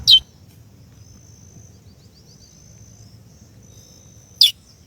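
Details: Female chestnut-bellied seed-finch calling to excite the male: two crisp descending chips about four seconds apart, with a thin continuous high-pitched hum and soft low background noise between them.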